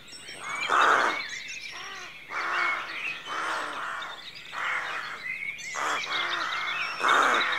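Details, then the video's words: Rooks at a rookery at dawn give a series of loud, hoarse caws roughly every second, several birds overlapping in a rough, grating chorus. "Rookery at Dawn"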